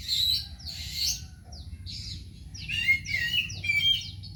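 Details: Oriental magpie-robin (kacer) kept as a home bird, singing a varied phrase of clear high whistles, a buzzy rasping note and quick slurred chips, with a steady low hum underneath.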